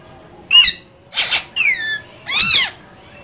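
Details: A pair of green parrots in their cage trading four harsh squawks and a whistled downward-sliding note in quick succession.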